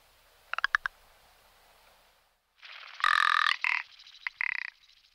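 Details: Rock ptarmigan, a camouflaged bird more often heard than seen, gives quick clicking notes, a pause, then a loud grating rattle and two further rattling bursts.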